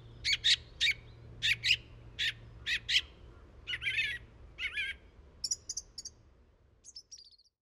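A song thrush sings loud, clear phrases: a run of sharp repeated notes, then fuller whistled and chattering figures ending in high thin notes. A faint low hum runs underneath.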